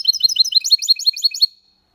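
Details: Malaga-style song from a goldfinch × canary hybrid, recorded in 2022: a fast run of high, metallic chirps accelerating into a brief buzzy trill, ending after one and a half seconds, then quiet.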